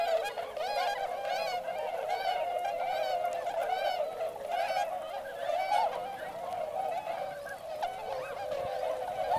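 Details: Swans by the hundreds at Motono, Inzai, Chiba, Japan, where they spend October to February with northern pintails; bright, clear honks rise and fall in a dense chorus, some short calls rapidly repeated.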